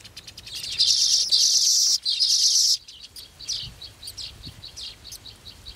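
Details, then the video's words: Golden sparrow chicks in the nest waiting to be fed give a loud, continuous, high buzzy begging note for about two seconds, then quieter, rapid high chirps repeated at an uneven pace. "Baby Golden Sparrow's Anticipation: Waiting for Bay's Feed"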